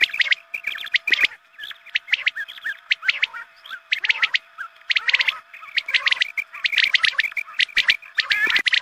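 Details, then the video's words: Quail lure call for dawn hunting, meant to bring more quail. Bursts of quick, shrill chirps tumble in uneven groups, some overlapping, above a faint steady hum. "Batair mast awaz"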